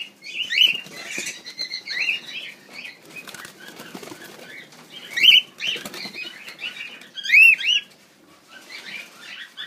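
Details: Many grey cockatiels held together give bright, rising chirped whistles in scattered bursts, several birds overlapping, over a steady rustle of wings and shuffling.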